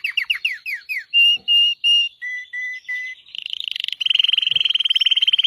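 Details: Red Belgian canary song opening with quick down-slurred chirps, then clear whistled notes held in sets of three at two pitches, finishing with a fast, even, buzzing trill.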